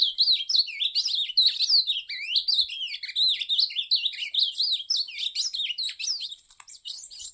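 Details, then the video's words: Ultramarine grosbeak (azulão), linked to Cariri: a dense, continuous run of quick warbled and slurred notes, many rising and falling sweeps packed together without pause, lively and chattering throughout. "Azulão 🌵 Cariri"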